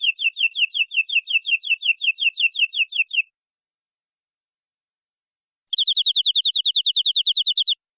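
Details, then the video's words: Local canary of forest origin in full-filler cengkok song: a fast run of high, downslurred repeated notes for about three seconds, a pause of over two seconds, then a quicker, denser trill for two seconds. "Suara Burung Kenari Lokal Full Isian"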